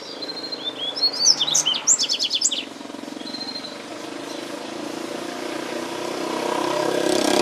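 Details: Double-collared seedeater singing wild in its natural habitat: a quick burst of high, sharp whistled notes and rapid repeated chips over about a second and a half, then steady low rumbling traffic noise that grows louder.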